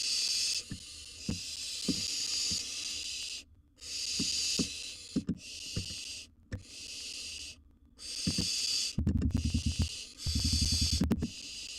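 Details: Wild barn owl chick in a nest box tackling a massive gerbil: long, steady hissing screeches repeated almost continuously, broken by brief silences, with scratching taps and rustling beneath.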